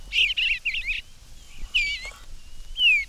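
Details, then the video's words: On a spring morning in a garden, a male Eastern Bluebird sings a cheerful warble, "cheer, cheerful charmer", from the roof of a birdhouse where his mate builds the nest. It is soft gurgling phrases ending in a falling whistle, and the female calls "chirr". "We will start in the garden on a spring morning, and today the first song that greets our ears is the cheerful warble of the bluebird."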